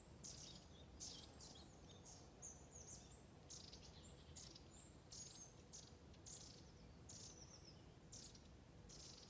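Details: A flock of long-tailed tits on a calm August morning (20 August 2020) along the Ljustorpsån stream in Medelpad trades thin, very high, sibilant calls from several birds at once, over the steady rush of the stream.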